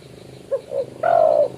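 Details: Spotted dove calling a rival, used as a trapping lure: one short coo, a softer second note, then a long, level, slightly descending coo.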